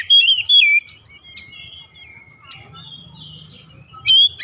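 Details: Oriental magpie-robin, morning song: two quick bright whistled phrases, then a long thin steady note and softer scattered notes over a low background murmur, with a rising whistle at the close.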